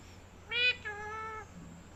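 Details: A parrot utters a two-part nasal vocalization, a loud rising first syllable then a longer level one, somewhat like a meow, in a quiet room.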